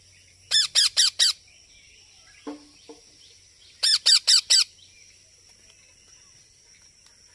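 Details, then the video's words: Baby parrot giving two quick bursts of four raspy, piercing notes, separated by a pause with a softer lower sound, ending on the start of another call. "Baby Parrot Natural Sounds | Parrot Calling Sounds"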